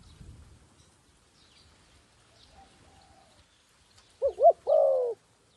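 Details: Decoy dove used to call wild doves down to a snare. After several seconds of near quiet with faint distant chirps, one phrase sounds: a wavering two-part note and then a long, even coo.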